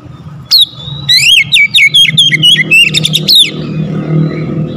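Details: Oriental magpie-robin, a daily-kept bird described as reluctant to sing that bursts into vigorous gacor song after one lure: a loud rapid run of sharp whistled notes, sweeping and slurred, lasting about three seconds over a low engine-like hum.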